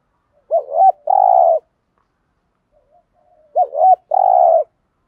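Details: Spotted dove phrase, 'giọng thổ' style, used daily to make decoy doves coo along: two quick looping notes, then a long level coo. The whole phrase repeats about three seconds later, with faint soft notes between.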